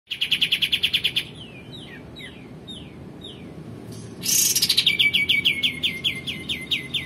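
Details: Male olive-winged bulbul singing actively, recorded as a training song for magpie-robins and white-rumped shamas: fast buzzy rattles of repeated downward-sweeping notes, then separate slurred whistles, then another long rapid series of falling notes.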